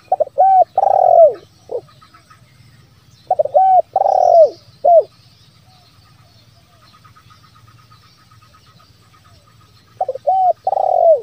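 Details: Zebra dove lure call used to draw wild doves into calling: soft rolling coos around 500–800, in short bursts of a few staccato notes ending in a longer trill, repeated about every three to six seconds.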